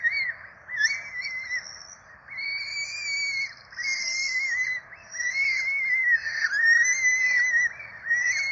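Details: Peregrine falcon chicks at a Rome nest being fed on 12 April 2024; loud, clear repeated calls, each a short rising-falling whine with shrill overtones, coming in quick runs with brief pauses, above a quiet background.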